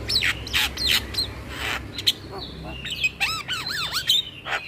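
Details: Javan myna chatter used as a lure for mynas and starlings. Rasping squawks give way to a run of arched, whistled notes repeated in quick succession near the end.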